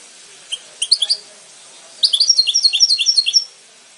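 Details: Goldfinch singing, a short phrase of high bright chirps followed after a pause by a longer run of rapid twittering notes, clean and close with a quiet background.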